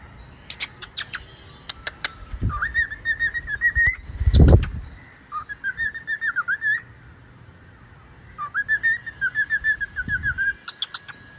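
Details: A pet cockatiel sings wavering whistled songs and repeats its owner's whistle, each run lasting a few seconds with brief pauses.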